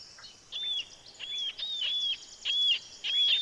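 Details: Marbled Murrelet giving almost gull-like keer calls, the sound listened for at first light along the Carbon River near Mount Rainier. Parents use it to locate each other. Six high, slightly arched keer notes come about every 0.6 seconds over faint hiss.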